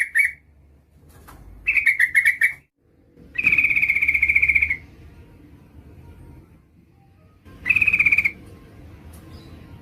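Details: A calling female yellow-vented bulbul, meant to draw a male, gives a short note, a wavering buzzy trill, a long even trill and a final shorter trill, with background hiss between.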